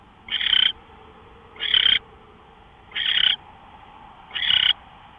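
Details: Owl at 5:27 AM, March 24, 2013, giving rough, breathy screeching hisses, each roughly a third of a second, four bursts spaced a little over a second apart against a low constant background hum.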